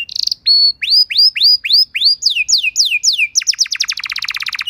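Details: Canary song for teaching other canaries: a short buzz, then a series of clear downward-sweeping whistles about four per second, shifting higher, and ending in a rapid dense trill.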